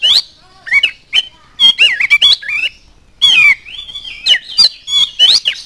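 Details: Oriental magpie-robin singing to provoke other birds, mixing squawky harsh notes with fluid whistled trills and warbles in a busy, nearly continuous stream.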